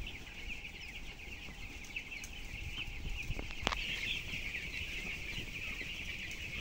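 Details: Crowd of 12-day-old broiler chicks, about 423 grams each, inside a closed-house barn of 7,000 birds, cheeping steadily in a thick high-pitched wash, with low mechanical hum and a sharp knock midway.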